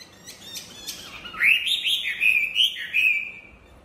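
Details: Chinese hwamei singing: after a few faint notes, a loud run of varied, slurred whistled phrases that rise and fall, with some phrases repeated several times a second. Other sounds are quiet.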